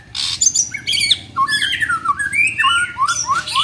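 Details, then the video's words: During mental training, a young white-rumped shama delivers loud, rich chattering song with rising slurred whistles and harsh scratchy notes packed closely together. "Melatih Mental Murai muda"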